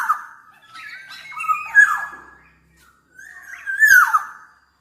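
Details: Black-naped oriole, described as a very active singer, mixes whistled notes and a long grating nasal phrase, then after a brief pause gives a loud, harsh squawk sliding down in pitch.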